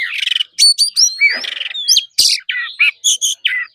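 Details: Oriental magpie-robin singing in forest style, used in daily song training: a varied burst of clear whistled slurs, rising and falling notes, and buzzy, harsh chirps, delivered in quick separate phrases.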